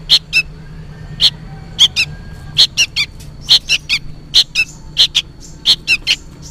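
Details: Sooty-headed bulbul fledgling calling loudly, as if for its parent: harsh squeaky chirps, often doubled, repeated at irregular short intervals, with low hum underneath.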